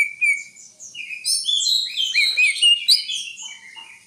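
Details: Greater green leafbird delivering a continuous, varied song of high warbles, twitters and slurred whistles tumbling together without pause, with a few lower notes toward the end.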